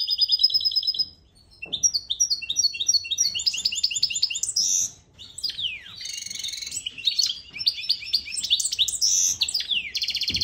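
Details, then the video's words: Goldfinch mule singing, a song offered for teaching young birds: opens with a fast buzzy trill, then rapid high chirped notes and sharp downward sweeps, a brief pause midway, and ends on another dry buzzing trill. "Mule goldfinch نغل شي تمام لتعليم الفراخ"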